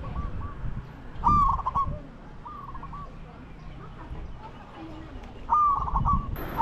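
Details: Repeated rolling coos from a spotted dove during decoy luring of wild doves, falling notes followed by short stuttering trills, four phrases over steady background hiss with occasional low thumps.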